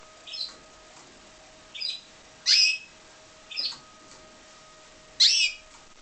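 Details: Pied Timbrado canary, bred in captivity, giving short bright chirps in separate bursts roughly every second, some harsh and buzzy with broad texture, others thinner and tonal, over a faint steady hum.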